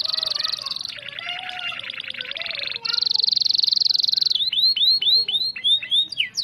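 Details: Canary singing as a lure for shamas: a lower chattering rattle, then a sustained shrill buzzing trill, followed by regular arched whistled notes repeated several times.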